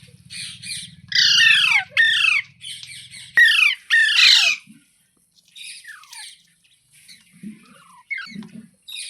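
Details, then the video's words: Green parrot, the mitthu or tota, delivering a rapid run of loud, grating squawks with downward-curving harmonics. A low mechanical hum runs underneath at first, then quieter scattered chirps and soft low thumps follow. "Green Parrot Talking Natural Sounds | Mitthu Ki Awaaz | Tote Ki Awaaz"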